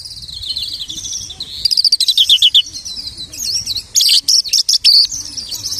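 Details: Lark singing and imitating other birds: varied high phrases, a wavering whistled run, then a dense stretch of rapid buzzy trills and sharp broken chirps.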